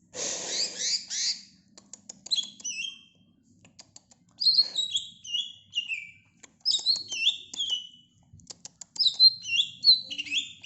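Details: Greater green leafbird singing, a bird kept by the kitchen: after an opening harsh rasping burst, bright high whistled phrases of slurred, dropping notes with quick clicks, delivered in bursts separated by short pauses.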